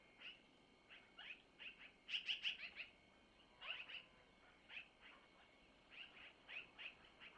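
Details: Long-eared owl nestlings being fed by their mother at a Missoula nest camera: scattered high, thin squeaks, with a loud rapid burst of four or five near the middle, then sparser chirps.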